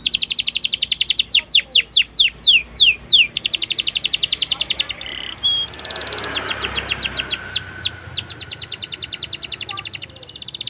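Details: Canary delivering a long rolling song for teaching young canaries: buzzy rapid trill, slower descending whistles, a break with softer noisy passage, then renewed quick trilled notes.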